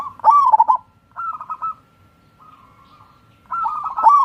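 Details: Local wild zebra dove giving its song, intended to stimulate idle birds into singing: loud rippling, stuttered coo phrases, a softer repeat, a quiet gap, then another strong trilled phrase.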